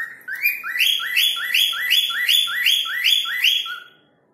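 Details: Cockatiel, locally called falk, whistling as if calling a person's name: a clear run of about eight rising whistled notes in quick succession, each sliding upward, before fading out.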